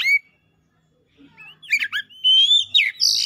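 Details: Worked-up Oriental magpie-robin (kacer) showing off imitations: a short whistle, a pause, then tumbling slurred whistles, a long steady whistled note and a final harsh buzzy burst.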